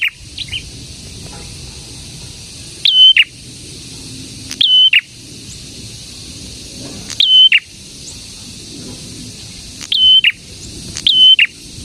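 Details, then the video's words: Prinia (prenjak, also called prenjak tamu or prenjak merah) repeating brief high whistled phrases with sharp chirps at irregular intervals of one to three seconds, separated by soft background hiss. "BURUNG PRENJAK GACOR"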